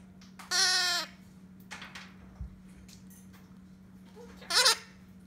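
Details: A young red-shouldered macaw chick being hand-fed gives two loud, raspy, bleating begging calls about four seconds apart over a steady electrical hum, with faint shuffling between them.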